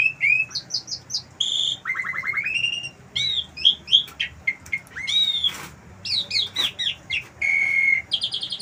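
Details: Asian pied starling living on a house terrace pours out a long medley of copied wild-bird sounds: rapid rising trills, buzzy bursts, sharp whistles, and quick chirp series, changing every second or so.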